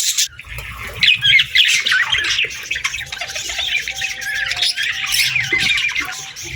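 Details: Morning chirping from several budgerigars, rapid overlapping squawks and twittering notes crowding together, louder bursts near the first and second seconds, a faint steady hum below.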